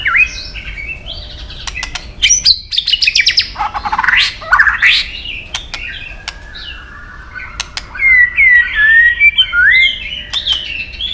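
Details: White-rumped shama singing in competition with long forest-style phrasing: dense buzzy and whistled passages, scattered sharp clicks, a pause, then clear looping whistles near the end.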